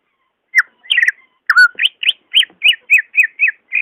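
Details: Greater green leafbird singing, a recording meant to coax a reluctant caged bird: a few varied warbled notes open, then a steady string of short, bright, arched whistles repeated about three times a second.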